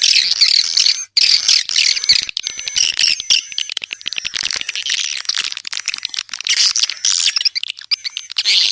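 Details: Busy overlapping twitters and buzzy chirps from swiftlets, rising and falling in intensity, accompanied by steady high pure tones.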